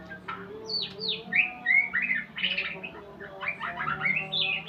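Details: Shama learning sounds: sweeping down-slurred whistles, then quick chirping notes and trilled phrases, fast and irregular, over a faint constant low drone.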